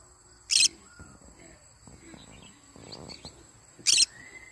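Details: Yellow-sided conure calling in the morning: two loud, harsh, raspy screeches about three and a half seconds apart, with faint clicks and soft rustling between them in a quiet room.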